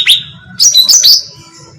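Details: Bulbul, locally cucak ranting, in a bait recording for attracting birds: one sharp rising chirp followed by a loud, tumbling cluster of bright whistled notes that trails off.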